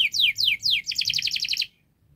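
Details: Canary in full song, played to coax silent or reluctant canaries into singing: three high sweeping downslurred notes, then a fast ringing trill of about ten rapid notes before abrupt silence.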